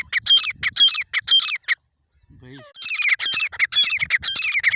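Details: Grey francoline giving harsh, rasping, rapidly repeated call notes in two runs separated by a brief quiet gap, with a faint lower wavering sound in between.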